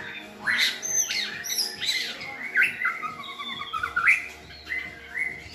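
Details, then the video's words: White-rumped shamas, several good-voiced birds used to tutor a selected young shama in a clear singing style; varied whistled phrases, some rising, others sliding down, with short gaps between bursts. "NÀI CHÒE LỬA | Đào tạo THANH cho lửa chuyền"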